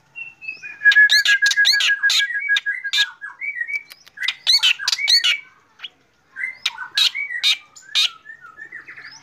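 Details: Black drongo singing lively in the morning: bursts of rapid harsh, buzzy chattering notes over a steady mid-pitched tone, broken by short rising whistles and a brief pause near the middle.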